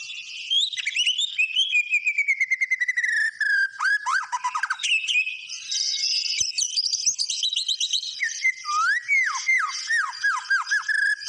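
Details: White-rumped shama singing continuously: long gliding whistle, rapid rattles, dense high twittering, then a string of loud falling whistled notes.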